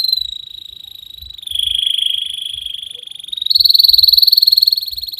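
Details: Canary singing continuously, recorded as a tutoring song to get young canaries singing: a sustained buzzy rolling trill that drops in pitch, holds, then jumps higher and louder for the final stretch.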